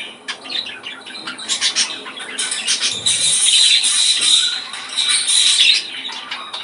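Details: Australian parakeets, pet budgerigars, warbling to bring on breeding: dense overlapping chatter of several birds, scratchy rasps and sustained whistled notes blending into a steady busy chorus.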